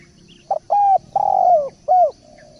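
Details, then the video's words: Spotted dove cooing phrase for song training: quick lead note, level coo, long purring falling coo, then a short rounded end coo, with faint chirping of other birds behind. "Masteran Derkuku / Tekukur gacor poll"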